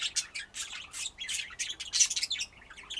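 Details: Chirpy budgerigar warble: bright, scratchy, high notes repeated in quick irregular bursts, fading slightly at the end.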